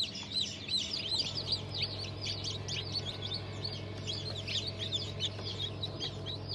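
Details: Newly hatched chicks of Cream Legbar, Sultan, Fizan, Cochin and İspenç breeds from a hatch dated 5 May 2023, a dense chorus of many high, short, descending peeps overlapping continuously over a steady low machine hum.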